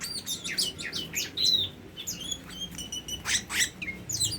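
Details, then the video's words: Tame Oriental magpie-robin singing a quick run of varied whistled notes, with sharp downslurred and upslurred phrases, a clear pure whistle near the middle and short buzzy bursts, all closely packed over several seconds. "Burung Kacer Jinak"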